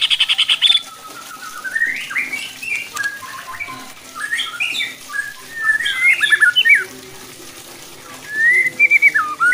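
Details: White-rumped shama singing to provoke other shamas into more aggressive song: a buzzy harsh burst at the start, then varied whistled notes, quick slurred rising and falling phrases with short pauses, ending in a rising whistled trill.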